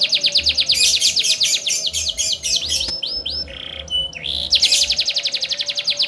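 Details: Canary in continuous 'gacor' song with luxurious 'cengkok mewah' ornamentation, meant to make other canaries sing too: fast shrill trills, curving falling slurs, a low buzzy note, then another rapid pulsing trill.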